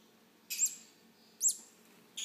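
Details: Hand-fed green-cheeked conure chicks begging: three raspy, high, squeaky calls, each rising then falling, spaced a little under a second apart over a quiet room background.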